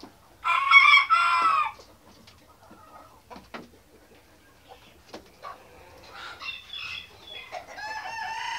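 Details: White Australorp chickens at mealtime: a loud, harsh, harmonic crow-like call lasting about a second, then soft scattered clucks and sharp clicks, and later a run of higher rising squawks from the flock.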